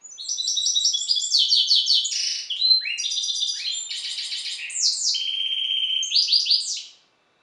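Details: Hybrid songbird bred from the Balkan goldfinch subspecies, kept in captivity, delivering a long, high, fast song of twittering chirps, rattling trills and buzzy slurred phrases, about seven seconds without a break, in silence.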